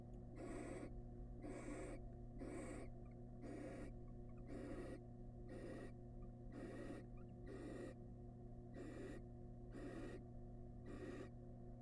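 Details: Wild barn owls in a monitored nest box as the male arrives with a massive rat for his family: harsh breathy hisses repeat roughly once a second, about eleven bursts, over a steady low electrical hum.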